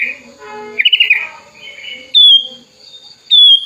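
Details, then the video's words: Sooty-headed bulbul kept as a tame bird since it was young, singing with wings spread toward a rival: a quick burst of rapid chirps, then two bright whistled notes that drop in pitch, over a constant high background hum. "kutilang gacor buka sayap, memanggil lawan"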